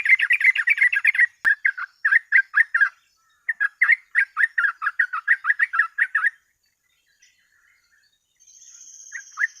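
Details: Sooty-headed bulbul singing a rapid 'ropel' burst meant to train and lure other birds: a long run of short, clipped, chirpy notes delivered about four per second, broken by a brief pause, then trailing off with a faint hiss.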